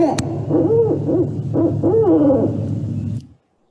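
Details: Barred owl caterwauling: wild, wavering hoots and wails rising and falling in quick overlapping bursts, a crazed monkey-like chorus, over faint room hum.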